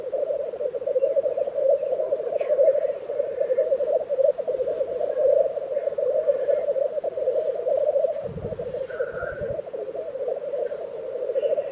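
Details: At a Swedish black grouse lek in Tiveden, April 2023, an unbroken low, rolling bubbling chorus fills the whole stretch, with faint higher notes and a couple of soft thumps near the end.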